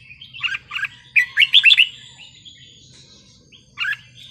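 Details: Red-whiskered bulbul in 'wild song' style, used to stir up listening birds: a lively burst of liquid, slurred whistles after a few opening chirps, then a short closing phrase over a faint low hum.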